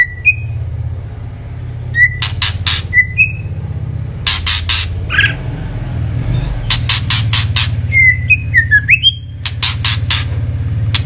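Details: White-rumped shama song over a steady low mechanical hum: scattered short whistles and sharp raspy bursts, building to a run of rising and falling whistled notes near the end.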